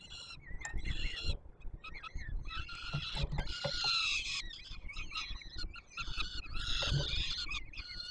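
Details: Young peregrine falcons begging as the male feeds them on the Palace of Culture and Science in Warsaw, Poland, 7 July 2022; dense, overlapping rasping squeals, several chicks calling almost continuously above low rumble.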